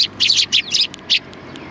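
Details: Sparrows at a Tenmangu shrine, 7 October 2020, arriving to be given food; a lively run of high, scratchy chirps in quick succession, some doubled, with short gaps between them and a quiet background.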